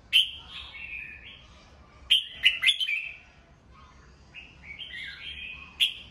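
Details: Caged red-whiskered bulbul in morning song: a loud sharp note followed by fluty slurred whistles, a cluster of quick emphatic notes around the middle, then rising and falling warbled phrases.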